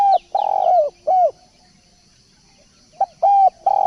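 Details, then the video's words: A spotted dove coos in phrases used as a lure. A long purring coo is followed by a shorter dropping note, then silence, then a clipped note and two more coos. Thin high twitters sound faintly behind. "pancingan burung balam/tekukur"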